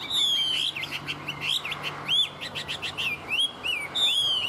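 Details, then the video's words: Tame Chinese hwamei singing well: loud, rich whistled phrases that rise and fall in quick succession, with rapid high trilled notes at the start and end and a faint low hum underneath. "Họa mi thuần hót tốt"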